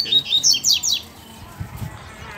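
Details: Seedeater calling in wild bushland, where a chick also appeared; a few loud, rapid down-slurred chirps in the first second, then faint rustling and low noise.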